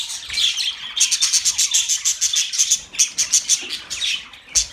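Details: Budgerigars, pet birds, chirping for lonely birds: a fast run of sharp high ticking chirps, about five per second for two seconds, then a pause and another rapid series over soft chatter.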